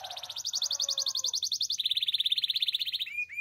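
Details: Belgian canary morning song with a fast, even trill of high notes that drops into a slightly lower rapid rolling trill, then a short upward whistle; soft low hum behind.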